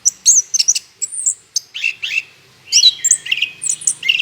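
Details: Orange-headed thrush singing energetically, used as a lure to get other birds singing; rapid varied phrases of bright high whistles, sharp chips and short buzzy notes, with a brief pause near the middle before a dense run of notes.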